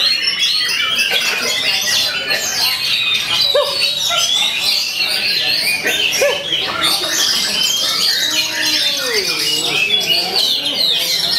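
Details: Oriental magpie-robin, a contest bird, singing shama-like long rolls to answer rivals: rapid high chirping and sweeps throughout, with lower curved whistled notes toward the end.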